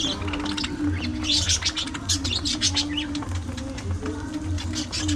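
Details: A group of parakeets munching seeds and fresh veggies, chirping in rapid, bright, rasping bursts with a few rising squeaks, over a constant low hum and faint pulsing tones.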